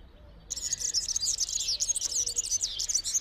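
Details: European serin in spring, singing its nuptial song in an olive tree, heard from early April: after a short quiet start, a dense, very high cascade of tinkling, jingling notes pours out continuously to the end.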